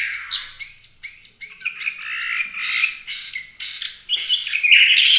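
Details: Oriental magpie-robin delivering training song for other birds: rapid repeated arched whistles and rasping notes, about two per second, ending in a louder burst of clear whistles.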